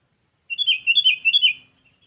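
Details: Rival-calling sooty-headed bulbul used to lure birds: a single chattering, gurgling phrase of several joined notes rising and dipping over about a second, then silence.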